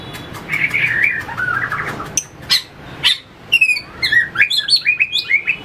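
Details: White-rumped shama in fighting-song training, flicking its tail on the perch: a chattering warble first, then sharp snapping notes and a lively string of short bright whistles and slurred phrases.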